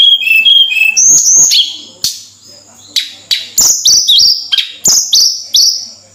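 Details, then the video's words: Tledekan, the Javan sunbird, singing steadily. Its whistled phrase opens with a lower warble, then repeats bright, high, flat notes with short upward slides, roughly three to four per second, broken by sharp ticks. "Suara Burung Tledekan Gacor"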